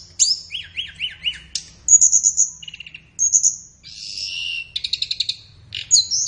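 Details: High flowerpecker song for training caged birds in the morning or afternoon: four repeated rising-falling notes, a pulsing high trill, lower clipped chirps, a buzzy warble, and a quick stuttering run.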